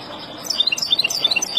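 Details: Wild European goldfinch singing to teach young birds: a short burst of high, quick tinkling notes starts after a quiet half second and repeats rapidly, with faint background hiss.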